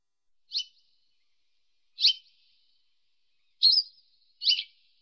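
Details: Four sharp, high chirps from a Western yellow wagtail, the later ones quicker and slightly buzzier, in a quiet setting.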